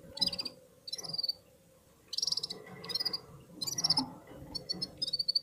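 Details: Red-fronted serin (Serinus pusillus) singing together with other birds: short, high, buzzy trilled bursts about half a second long, repeated with brief pauses, over a low background hum.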